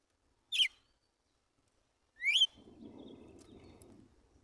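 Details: A wild Red-cowled cardinal singing in the morning: two short, clear whistled notes about two seconds apart, the second sweeping upward, followed by a low rustling noise.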